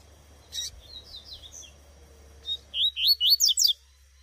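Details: Female Double-collared seedeater (coleiro tuitui) calling in the bush: soft high chirps first, then a quick loud run of about seven sharp, rising and falling high notes in under two seconds. Steady low hum underneath.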